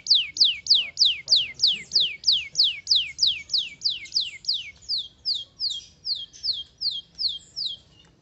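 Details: Canary singing a long, steady series of loud descending whistled notes, about three per second, becoming softer and slightly lower toward the end.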